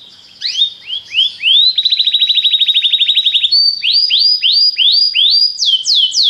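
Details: Belgian canary in full song: rising whistled notes, a fast rattling trill lasting nearly two seconds, then a run of clear upswept notes climbing higher toward the end.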